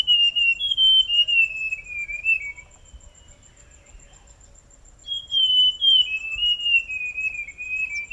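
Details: Two musical phrases from a forest scrub robin, each a string of high whistles sliding gradually lower over two to three seconds, with a silent gap between them.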